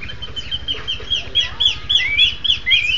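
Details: Duetting Horsfield's babblers trade bright whistled notes, high downslurred whistles alternating with lower upswept ones in a quick, steady back-and-forth against a constant low hum.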